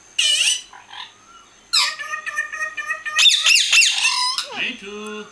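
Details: Kashmir parrots talking as they eat: a loud harsh squawk, then a long run of nasal, tonal chatter and rapid rising-falling squeals, ending in lower wavering notes.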